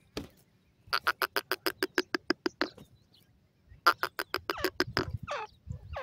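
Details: Teetar francolins of the Dakhni silver and Bhuda types give two bursts of loud, evenly spaced harsh clicks at several per second, separated by a short pause, with the second burst ending in squealing, wavering slurred notes.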